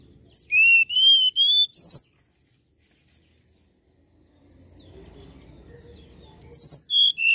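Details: Common iora song used to lure birds: three long steady whistles and a high buzzy flourish, a pause with low background noise, then the phrase begins again.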